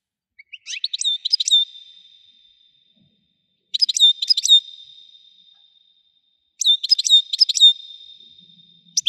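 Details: European goldfinch singing: three bursts of rapid tinkling, twittering notes, each ending in a long level whistled tone, repeated about every three seconds against silence.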